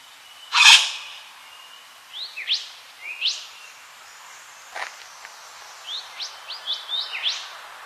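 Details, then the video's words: A yellow wattlebird gives one loud, harsh rasping note, followed by a run of short, thin upswept chirps scattered over the next several seconds. "Yellow Wattlebird"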